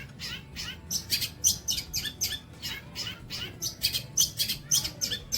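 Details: Captive long-tailed shrike singing a rapid, continuous run of harsh, scratchy, high chattering notes, about two bursts per second, with no other clear sounds.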